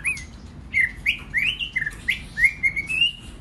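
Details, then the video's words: Short series of clear whistled notes from a White-rumped shama used to provoke singing in other birds, each note slurred upward and repeated about every third of a second. "Kích Chòe lửa hót nhiều giọng"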